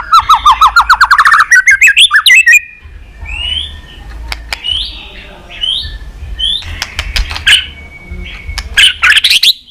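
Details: White-rumped shama calling with continuous tacks to spur on weak-spirited pet shamas: opens with a fast rising series of bright repeated notes, then quieter scattered whistles and clicks, and a short final burst.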